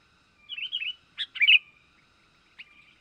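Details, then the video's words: Young Sooty-headed bulbul (kutilang) heard as a lure for wild birds: a warbled, wavering phrase, then two sharp chirps and a louder slurred note, followed by a single faint chirp in near silence. "Mikat burung kutilang,pikat kutilang muda berbakat"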